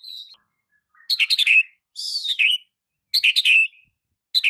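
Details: Shama training recording for non-singing white-rumped shamas: loud, buzzy chattering phrases falling in pitch, a high hissing downward sweep between them, bursts about every second with silence in between.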